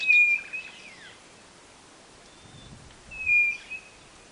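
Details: Northeastern quail of Brazil's Nordeste singing: a flat, clear whistled note held about half a second, given twice roughly three seconds apart, with a faint twittering bird early on and a low rustle between.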